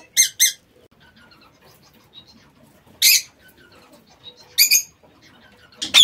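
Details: Lovebirds in an aviary in a quieter moment: a few isolated, piercing shrieks, a double call at the start and single calls spaced about one and a half seconds apart, with faint soft notes between.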